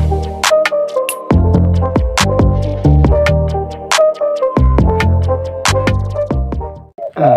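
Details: Electronic music with a punchy drum-machine beat and bright synth notes, with no animal voice heard.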